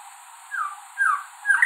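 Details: White-rumped shama, a songbird of the Indian subcontinent whose male sings to attract a mate: three clear descending whistled notes about half a second apart, the last one richer and more warbling.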